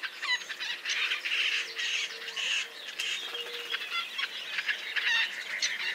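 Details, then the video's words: White-breasted nuthatch calling in a forest soundscape: a series of nasal, buzzy notes repeated about every half second to second. Other birds chirp and twitter throughout in the background. "White-breasted Nuthatch Bird Call"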